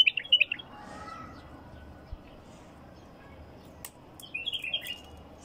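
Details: Wild bulbul with two brief bursts of bright chirping notes, one at the start and one near the end, separated by quiet background and a couple of sharp clicks.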